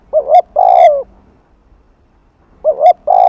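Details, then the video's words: Spotted dove 'Hạp Bổi' coo, afternoon, used to attract other doves: one phrase of a short rising note and a longer hoarse coo, a pause, then the next phrase beginning. "Tiếng Cu Gáy Giọng Hạp BổI THÚC + GÙ"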